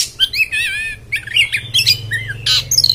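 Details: Kacer (Oriental magpie-robin) singing coarse 'beset beset' phrases: wobbling slurred whistles, chattering harsh notes and rasping bursts in quick succession, over a faint constant low hum.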